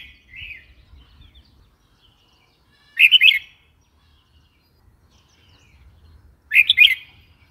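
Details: Red-whiskered bulbul calling a lively, warbled phrase of rapid rising-falling notes twice, about three and a half seconds apart, after a soft short note at the start.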